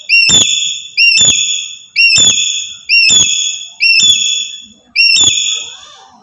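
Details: Black-capped lory originating from Papua, its loud calls used to provoke other birds: six clanging harmonic calls, each with a sharp clicking onset and a level ringing tail, about one per second.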